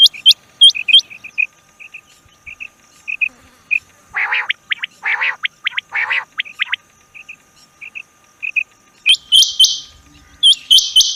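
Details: Rain quail calling: sharp, high upswept notes given singly and in quick series. In the middle they are broken by louder harsh, buzzy bursts, and the clip ends with a dense cluster of high notes over a faint steady hum.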